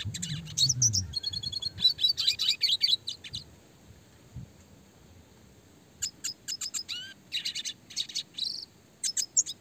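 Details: Fast, tight red siskin song, a classic clear-voiced tutor recording: dense buzzy twittering runs, then a quick string of sharp chirps repeated at a rapid pace, with a brief rising note.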